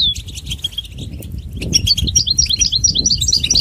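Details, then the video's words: Natural-environment goldfinch song: a brief descending note, scattered faint chirps, then a quickening run of high, bouncy twittered notes, set against a constant low background rumble. "soothing nature sounds of the Goldfinch"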